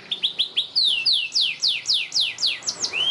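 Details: Canary singing at length as a master song to teach young canaries. About a dozen clear, high, downslurred whistles follow one after another, spaced more widely as they go, and end on a rising note.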